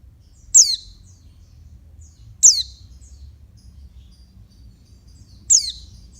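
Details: Calls of a female oriental white-eye used to stimulate males. Three shrill, falling chirps, two close together and a third after a three-second pause, over a low hum.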